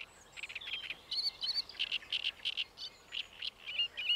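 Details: Great reed warbler (Acrocephalus arundinaceus) singing at Paxton Pits Nature Reserve on 28 May 2016: a harsh, chattering string of grating notes, about three a second, in loud uneven bursts against a quiet background.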